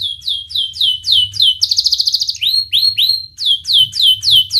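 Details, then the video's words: Canary song used to coax young canaries into singing: clear downward-sweeping whistles repeated about three per second, broken by a short buzzy trill and a few rising whistles, then more falling notes. "Kenari Gacor speed Rapat WIT Wit Tajam Cuit cuit ngeroL, pancingan kenari PAUD BELAJAR BUNYI"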